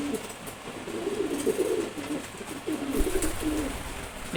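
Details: ['Maxi racer pigeon chick of one month, a good flier; low throaty coos in repeated short bursts about every second or two, with a bump of handling noise.']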